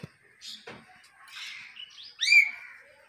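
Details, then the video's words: Common hill myna talking: soft husky speech-like murmurs and a low rasp lead into a loud, clear whistle that swoops up and then trails off in a long level tone. "Amazing Talking Hill Myna"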